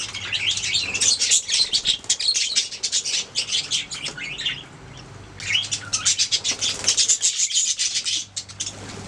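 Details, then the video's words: Budgerigars singing: dense, high, warbling chatter of chirps and squeaky notes in two long bursts separated by a brief lull, over a low steady hum. "Budgies singing making sounds chirping"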